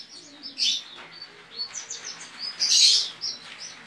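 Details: Javan white-eye in an online singing competition, from Pontianak, West Kalimantan; soft, scattered high chirps and short slurred whistles lead into a loud, dense twittering burst.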